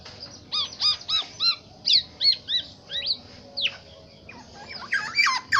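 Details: Black-naped oriole, from Aceh, giving a series of evenly spaced rich whistled notes about three per second, each ringing with overtones, followed by varied slurred phrases and a sharper rising flourish at the close.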